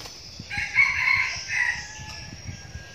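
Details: Young red junglefowl used as a decoy bird crows a clear, loud phrase of rising and held harmonic notes lasting about a second and a half, with cricket buzz behind.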